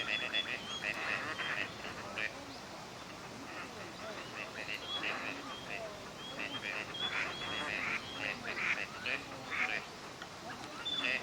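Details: Gadwall in courtship display for pair formation at a park pond in Chiba, Japan, November, winter visitors: many short, scattered calls and thin whistles from several ducks over a constant outdoor hiss.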